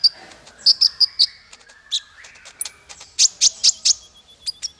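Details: Bird song recorded as tutor material for training small fighter songbirds: high, sharp chirps and short bright notes at irregular intervals, with a thin whistled tone and quieter twitters between them.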